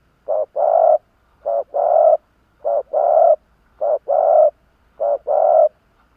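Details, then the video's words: Spotted dove kept as a decoy bird in Vietnam, cooing to draw in wild doves: five steady pairs of a brief coo followed by a longer, fuller coo, repeated about once a second against a quiet background. "Tiếng chim cu gáy kích bổi nhanh nổi"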